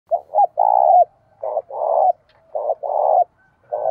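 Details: Tame decoy spotted dove cooing to draw in wild doves: four low, mellow cooing phrases, each a short double note followed by a longer purring coo, repeated about once a second in a quiet setting.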